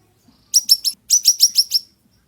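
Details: Ashy tailorbird song meant for tutoring other birds: three sharp, high chirps, a short gap, then five more rapid piercing notes, all clean against a silent background.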